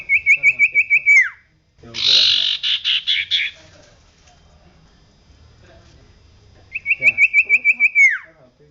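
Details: Common iora singing energetically for a songbird training recording: two quick pulsed trills slurring downward, separated by a harsh, broad noisy chatter.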